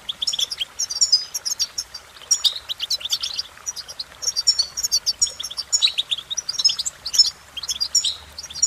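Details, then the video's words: European goldfinch singing cheerful tunes: a continuous, rapid, high tinkling twitter of short chirps and thin whistled notes, with brief pauses between bursts and a quiet background. "innovative Ways To impress The Goldfinch With Bird Melodies"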